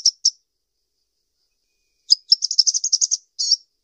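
A sunbird gives two sharp, high chips, then a quick run of about ten thin, twittering notes ending in a brief buzzy trill.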